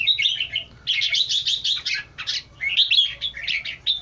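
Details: Red-eyed bulbul song, a lively string of clear warbled and chirping notes in quick bursts with short pauses between phrases.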